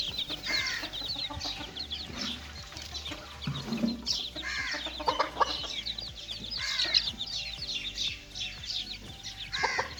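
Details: Young chicks playing in a cage, a crowd of thin high peeps chirping continuously, punctuated by several sharper louder calls and a brief low grunt, over a faint constant hum.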